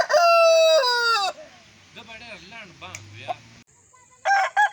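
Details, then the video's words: Aseel roosters crowing: one long loud crow that drops in pitch near its end, then quieter muffled sounds, then the start of another crow. "Asil Rooster Sound Effect/Aseel Roosters Crowing-Compilatiol/ Aseel Murge ki awaaz"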